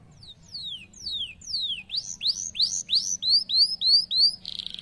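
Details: Canary singing a series of phrases: several clear whistles sliding downward, then louder upswept notes repeated about three times a second, ending in a short buzzy burst.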